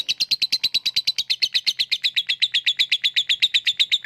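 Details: Lovebird 'ngekek' chatter used as a lure for lazy birds: a fast, even series of sharp, squeaky chips, about eight per second, held at a steady high pitch throughout.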